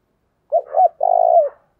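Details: Cooing of a decoy spotted dove used to draw wild birds: two short rounded notes followed by a long, slightly throbbing coo that falls away at its end.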